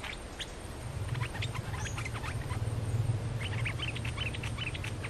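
Bulbul chirps: short, bright notes come in quick, uneven bursts, some doubled. A steady low rumble runs underneath.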